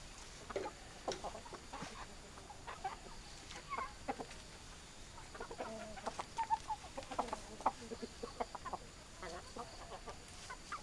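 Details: Flock of hens clucking softly: scattered short clucks and low murmurs spread across the stretch, with a slightly busier cluster in the middle, over constant background hiss.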